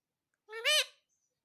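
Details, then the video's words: Pet parrot indoors speaking "mummy": one short, bright, harmonic utterance that climbs and then falls, with silence around it. "Mummy Mummy Bolne Wala parrot"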